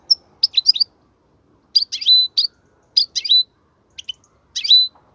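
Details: Young goldfinches learn from this European goldfinch song: spaced clusters of sharp, high chirps, some ending in short buzzy notes, repeated roughly every second.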